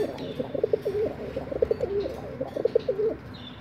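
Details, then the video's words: Pigeon song: three rounds of cooing about a second apart, each two short sharp notes followed by a longer, gurgling, falling coo; faint higher bird chirps at the end. "pigeon singing"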